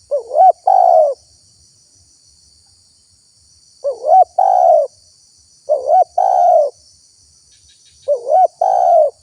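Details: Spotted dove calling as a lure so wild doves answer and approach: four repeated phrases, each a short rising wavering note and a longer hoarse level coo, spaced a few seconds apart, with faint high background hiss.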